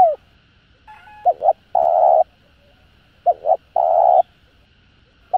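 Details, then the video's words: Spotted dove calling to excite other doves: two phrases of a quick double coo and a long steady croo, with a faint flat tone before the first and a clipped note at the end. "Tiếng Cu Gáy GỌI +THÚC Kích Bổi Nhanh Nổi"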